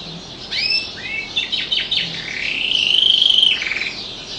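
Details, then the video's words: Canary singing: a quick run of high, rising whistled notes and short chips, then a sustained bright rolling trill lasting about a second before it fades. "kenari bernyanyi"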